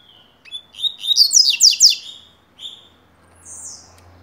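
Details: Rusty-collared seedeater song used as tutor notes for training young birds: a steady whistle, then a quick burst of bright, sharply sweeping notes, and a closing whistle, all high and clear in a quiet background.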